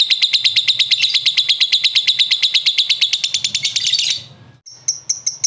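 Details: Lovebird in a long ngekek answering another lovebird: a fast, regular rattle of shrill notes for about four seconds, a brief pause, then a few higher chirps.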